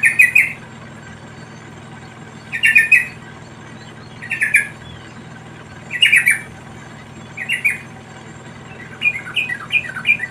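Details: Yellow-vented bulbul in the wild, parent feeding its young: bursts of harsh, buzzy squawks come roughly every one and a half to two seconds, ending in a quicker run of short chattering notes, over a faint low hum.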